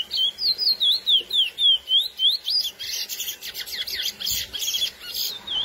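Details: Classic curió song meant to stir females, from a lesser seed finch: about ten rhythmic, looping whistled notes in three seconds, then a faster stretch of buzzy, scratchy twitters and chips ending on a high whistle.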